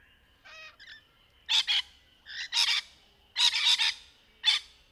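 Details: Rainbow lorikeet, softer buzzy and warbled chatter notes mixed with loud harsh screeches in pairs and triplets.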